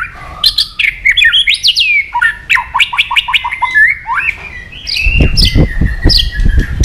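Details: White-rumped shama singing to provoke aggression: varied whistles and rapid falling notes repeated in quick series, then a held tone over low rumbling thuds near the end.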